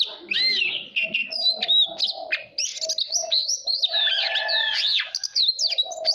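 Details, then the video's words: Training recording of a white-rumped shama meant to stimulate fighting song: varied high whistled phrases, upward and downward slurs and sharp chips flowing almost without pause, with faint lower tones underneath. "Chòe than hót hay /luyện giọng /ép giọng chuẩn /kích chim hót đấu hiểu quả"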